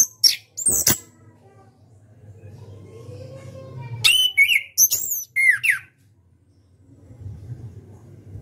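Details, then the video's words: Caged orange-headed thrush, national contest champion, in ngeplong style: opening clicks, a quiet stretch with a low hum, then a loud cluster of wavering, falling whistles and cracking notes before fading. "KICAU ANIS KEMBANG NGEPLONG"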